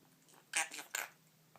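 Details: A pet Quaker (monk) parakeet reciting learned phrases, such as a Wizard of Oz line, gives two quick, raspy syllables of imitated human speech.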